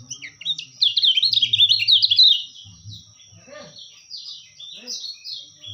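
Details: White-eye, locally called kecial kuning, in a masteran recording: a loud burst of rapid, high twittering with tumbling chattered notes for about one and a half seconds, then softer scattered chirps over a faint low hum.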